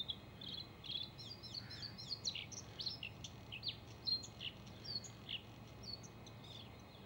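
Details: A male bluethroat (Luscinia svecica) sings a fast, unbroken run of varied high chirps, twitters and short whistled notes, over a soft background hiss.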